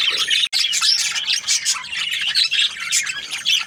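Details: Australian budgies chirp in a steady, crowded chatter of thin whistles and raspy twitters, broken by a single brief silence about half a second in.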